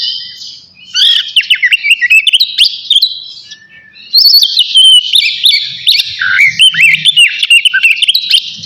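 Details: Oriental magpie-robin of the navy type, in full song before bathing: rapid varied whistles and sharp upslurred notes in bursts, a short pause near one second and another near four seconds, then dense continuous phrases.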